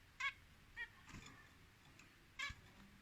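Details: Pet zebra finch making three brief nasal beeps, with a soft knock between them, in a quiet indoor setting.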